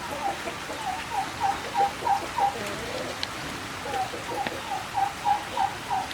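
A turkey gives two runs of short, mid-pitched yelping notes, about three per second, over a steady hiss like rain.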